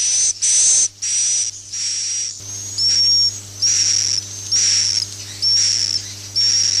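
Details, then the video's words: Swiftlet roost-calling sound, used to lure the birds to nest houses: shrill, hissing high whistles in regular bursts of about a second, with short gaps between them, over a steady low hum. "suara inap burung walet"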